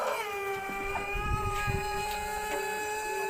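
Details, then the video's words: ['Champion-bloodline jumbo pelung chicken crowing after moulting, with its voice changed by ngorok. A single sustained, even-pitched crow note is held unbroken throughout, rich in overtones, with faint low thumps beneath.'] "Kokok ayam pelung jumbo trah juara pasca mabung dan ngorok"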